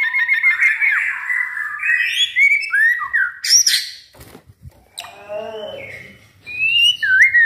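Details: Caged white-rumped shama, never entered in competitions, pours out varied whistles and harsh buzzy bursts, a quiet pause with soft clicks, then descending chattering notes and bright whistled slurs.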